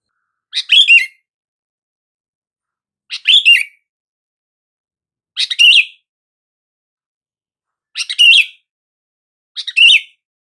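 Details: Five quick bubbly chirped phrases from a sooty-headed bulbul, repeated roughly every two to three seconds, played to stir silent bulbuls into responding.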